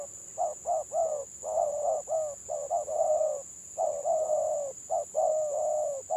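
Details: Spotted dove, village bird, singing in the stuttering 'gagap' style in a head-to-head pairing: a dense run of low coos, short stammered notes leading into longer drawn coos, about one phrase a second, with steady high-pitched hum behind.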